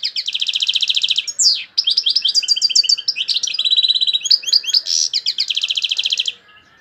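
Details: Strong song of a European goldfinch from Algeria, with phrases called torojio, kaka jio and borouis: long buzzy rattling trills alternating with quick chattering notes and sharp rising whistles, nearly unbroken throughout.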